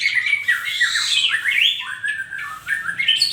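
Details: Asian pied starling in the morning uttering harsh, squawking slurred notes that rise and fall, loud and close.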